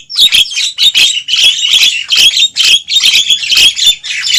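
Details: Javan myna trapping lure of noisy calls: a nearly continuous stream of harsh, scratchy squawks, repeated in rapid pulses of about two per second with no pause.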